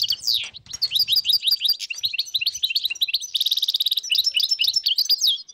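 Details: Dozens of wild European goldfinches in northern Morocco, 2022, filling the air with quick liquid twittering and bright chirps that overlap into a dense chorus, with a rapid buzzy trill midway and more sweet twitters after it.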